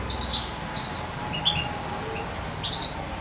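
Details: A roughly two-month-old captive European goldfinch, probably female, once hand-fed by syringe, gives about a dozen high, thin, tinkling chirps in short bursts over three seconds, over a faint low indoor hum.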